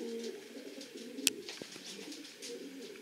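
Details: Low, steady cooing from racing pigeons kept in a loft, a continuous murmur of overlapping birds with a single sharp click and faint rustles above.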